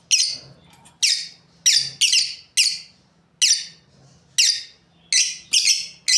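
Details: Lovebirds, a breeding pair, calling with about ten sharp, piercing chirps, each a short descending burst, repeated roughly every half second to one second, with a faint low hum underneath.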